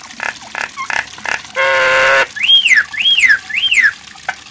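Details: Nias hill myna giving short nasal notes, then a loud, buzzy, harmonic rasp. Three arching whistles follow, each rising and then sliding down, about half a second apart.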